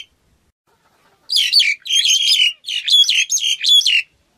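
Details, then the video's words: Black-collared starling bursting into loud, rasping chatter interwoven with shrill whistled notes, in four or five quick phrases after a silent start. "Tiếng Cà Cưỡng hót"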